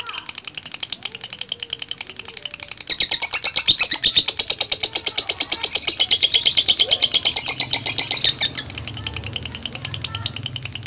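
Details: After soft chatter, a lovebird launches into a loud long ngekek trill of quick high rattling pulses for about five seconds, then drops back to quieter notes over a low background rumble.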